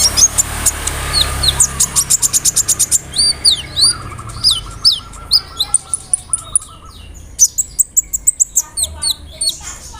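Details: Kolibri ninja (konin) sunbird singing a rolling song with cricket, cililin, sparrow and cerr fill-ins, played to provoke another bird: a long rapid trill of high clicks, then varied swooping whistles, buzzy notes and chattering phrases.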